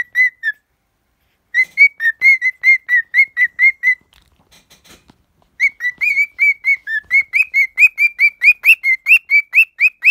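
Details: A pet cockatiel sings loud, rapid whistled notes at roughly two per second, in two long bursts split by a brief pause. Some notes rise sharply while others stay level.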